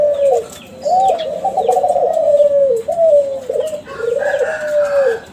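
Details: Young captive Kelantan spotted dove from a contest-champion line, its song used as a lure so other doves answer. It gives low, mellow, drawn-out coos in linked phrases, with faint small-bird chirps in the background.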